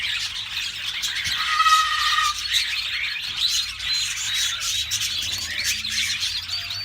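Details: Yellow canary singing a busy, continuous song of high chattering notes, with a brief steady whistled tone early on and faint low background hum throughout.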